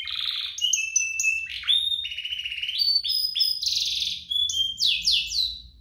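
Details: Canary duo song meant to spur caged canaries into singing and to teach young birds: varied high whistles, held tones and rattling buzzy trills changing every second or so, some phrases stepping upward, a few sharp downslurred notes near the end.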